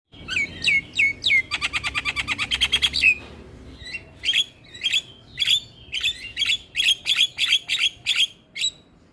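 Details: Black-winged myna song used as a tutor recording to stimulate quiet mynas: a fast run of sharp, high clicking notes, then a rapid stuttering series and spaced bright whistled chips repeated roughly every half second.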